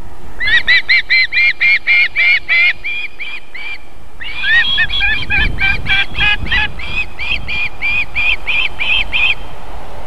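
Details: Feeding time at an osprey nest in South Estonia, late July evening: the female gives quick repeated high whistled chips, a short pause, then a busier overlapping run of similar notes with faint rustling beneath.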